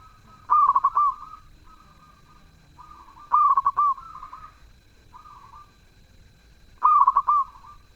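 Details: Zebra dove singing actively: three stuttering, rolling coo phrases about three seconds apart, mixed with several fainter coos from other doves.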